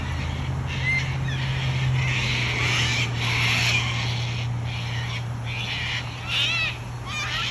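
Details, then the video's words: Wild cockatoos in Australia calling repeatedly: a run of harsh, rasping squawks of varied length across several seconds, over a low droning background. "Australian wild bird COCKATOO sounds"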